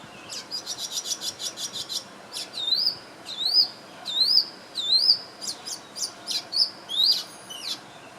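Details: Swiftlet-like bird chirping while preening, Singapore, 2017: a quick run of high, clipped ticks, then a series of sharp, high chirps, each sweeping upward, roughly every half second, over faint background hiss.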